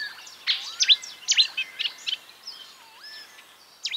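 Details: Marsh warbler imitating other birds: scattered sharp chirps and thin sweeping whistles, including a smooth down-and-up glide, over a soft background hiss.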